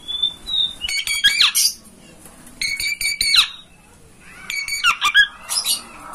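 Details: Oriental magpie-robin master song for stirring a caged kacer to open its tail and sing. A thin whistle opens, then three energetic bursts of grating, buzzy notes woven with quick slurred whistles, each about a second long.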